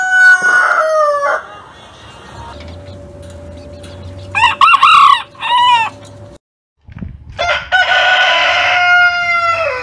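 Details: Several rooster crows: a short call with a falling end, then a long, faint, steady tone. Two strong arched, wavering crows follow, and after a brief silence a long, loud crow closes the clip.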